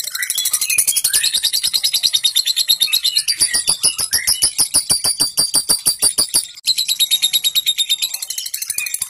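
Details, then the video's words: Lovebird giving a long ngekek chatter, played to prompt other lovebirds to sing: fast, dense, high rattling pulses, at times layered, that run steadily for about nine seconds with a brief break near the end. "terapi lovebird ngekek panjang untuk pancing bunyi"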